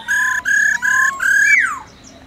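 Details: Laughingthrush in forest-voice song, calling to wild birds alongside a trilling female; four steady, loud whistled notes with rich overtones end in a sharp rising-then-plunging slur.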